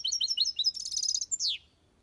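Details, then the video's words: European goldfinch singing copia Malaga song in an aviary: a fast run of liquid, high twittered notes, then a short buzzy rattle and a single loud, downward-sliding note before silence. "Goldfinch song/ best chirping of the goldfinch | Jilguero Cantando copia malaga/ chardonneret chante"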